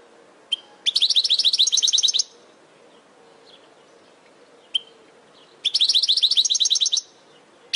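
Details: Caged-bird training recording of European goldfinch song: fast, buzzy-tinkling trilled phrases of over a second each, repeated twice, preceded by sharp single call notes, with a faint low hum beneath.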